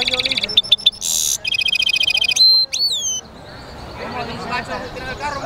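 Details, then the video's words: European goldfinch mule singing: rapid high trilled notes, a harsh buzzy burst, a steady trill, then two sweeping whistled notes, followed by softer twittering of other birds in the background. "European Goldfinch mule singing"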